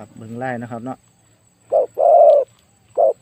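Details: Spotted dove used as a decoy bird in Thai dove luring, said to have a very big voice: after a second of a man talking, three deep hoarse coos sound, short, long and rolling, then short.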